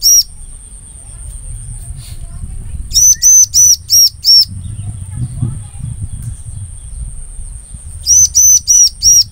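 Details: Lure recording of bar-winged prinia for trapping the same species: two bursts of five shrill, evenly repeated arched notes separated by a long pause, low rumbling background and a steady high-pitched whine.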